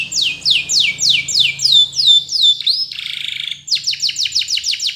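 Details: Training-song canary: a run of bold downward-slurred whistles, a brief harsh buzzy phrase, then a brisk series of short sharp downstrokes repeated several times per second.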